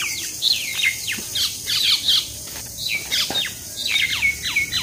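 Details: Common mynas fighting in Keraniganj, Dhaka, Bangladesh call harshly, with overlapping squawks, chatters and sharp downslurred notes in rapid bursts.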